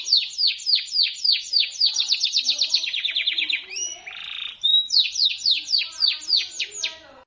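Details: Shrill local canary singing in the loper style: long series of quick, sharp downslurred chips that speed into a trill, a brief harsh buzz, then more crisp descending notes at a fast, even pace.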